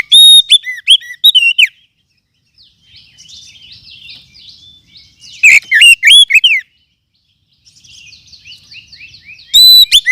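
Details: Lure call of a forest oriental magpie-robin, meant for attracting birds and tutoring others: bursts of loud, clipped, wavering whistles alternate with long stretches of soft, scratchy, buzzy chatter, three loud phrases in all.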